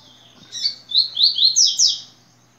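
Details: Tui-tui strophe of a yellow-bellied seedeater: a short burred intro, then five bright slurred whistles in quick rhythm, rising stepwise in pitch and fading after the last note. A soft low hum is audible.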